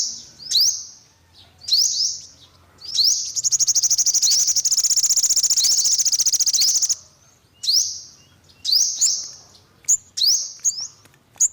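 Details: Sharp rising chips from an olive-backed sunbird, then a loud, fast, steady high trill of about three and a half seconds, followed by more spaced upslurred chips.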